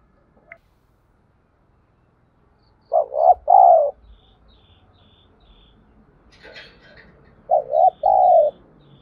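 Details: Spotted dove coo at dawn, 'thúc gù' calling to stir newly caught doves: two low coo phrases several seconds apart, each a quick double note then a fuller coo, with faint rustles and a soft distant chirp between.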